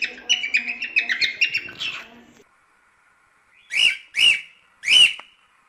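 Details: Cockatiel run of quick twittering chirps for two seconds, then a pause, followed by three loud, harsh, rising-and-falling calls spaced about half a second apart.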